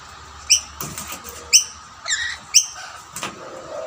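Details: Rainbow lorikeets competing over two plates of snack food, a dominant male chasing other birds away except his own family; short, shrill, piercing calls repeated about once a second, with dull knocking and clattering noises between them.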